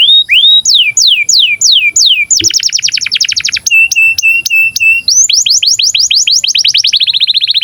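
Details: Canary in breeding condition, its song used to lure and teach young canaries to sing and roll. It gives a few falling whistles, a rapid trill, level repeated notes, then an accelerating series of swept notes.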